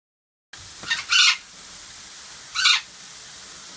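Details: Golden parakeets kept with a rainbow machine: two harsh, raspy screeches about a second and a half apart, the first preceded by a short rising note, over a quiet steady hiss.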